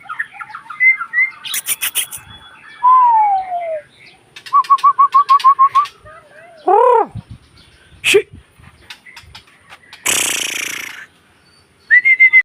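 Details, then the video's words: A white-rumped shama sings a varied series: a long falling whistle, an even trill of about eight quick notes, a loud arched whistle, a harsh hissing rasp, and a final bright rising note. "burung murai batu"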